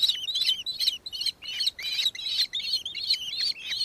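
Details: A Nankeen Kestrel in Victoria, Australia, on 4 December 2024 gives a shrill, scratchy chatter of high notes, about ten bursts in four seconds, with no other sounds.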